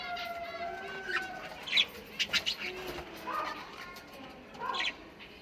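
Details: Australian parrots calling: scattered harsh squawks and short screeches with some whistled, rising notes, several birds overlapping over a steady background hiss.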